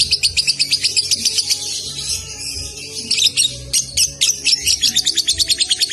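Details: High rapid chattering from a young Salatiga lovebird in konslet style, briefly easing to softer notes mid-phrase before resuming fast, evenly pulsed shrill chirps; low hum in the background.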